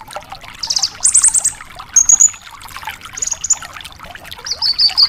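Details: Energetic Javan bush lark song, recorded for training young caged larks: a string of high buzzy trills, then thin rattled whistles, with pauses between phrases over a constant background of small clicking notes.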